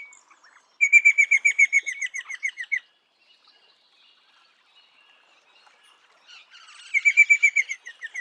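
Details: Eastern rosella repeating rapid, bell-like notes in two bursts about four seconds apart, each roughly two seconds long and fading toward the end, with faint chatter in the gap.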